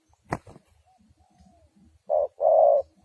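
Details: Trapping lure spotted dove: a couple of sharp knocks and faint soft sounds, then one short coo and one long loud hoarse coo to close.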